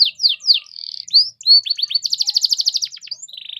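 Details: Canary song used as a lure for other canaries: sweeping downslurred notes, a buzzy hold, rising whistles, then a loud rapid rattle of clipped notes ending in a flat buzzy tone.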